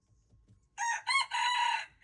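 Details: Crow of a red junglefowl recorded February 26, 2025: after a quiet start with faint low rumbles, a harsh crow begins with a short note, a brief break, and a long buzzy syllable that runs to the end.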